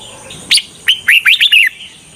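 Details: Red-whiskered bulbul used as a decoy to lure wild bulbuls for trapping, giving a short loud burst of bright, warbled, slurred notes, rising then dipping, over a steady high hiss.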